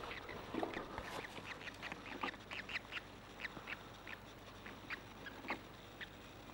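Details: Grebe chicks, 7 and 5 days old, beg during feeding with thin, high peeps, short and uneven, several a second, over a steady background hiss.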